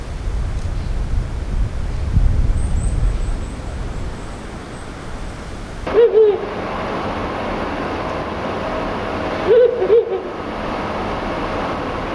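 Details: A Ural owl gives its spring-to-early-summer courtship and territorial song: two short phrases of deep, hollow hoots about four seconds apart, over steady hiss and a low rumble early on.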